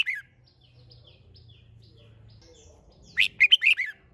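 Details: A red-whiskered bulbul's competition song (hót đấu): a clipped note fragment at the start, a long quiet gap with a faint low hum, then one crisp phrase of five rolling, whistled notes.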